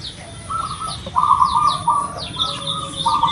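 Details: Local zebra dove with a loud, big voice, used as a lure to prompt a captive dove to sing quickly: a series of bubbly, rolling mid-pitched coos, while many small birds chirp with high falling notes behind.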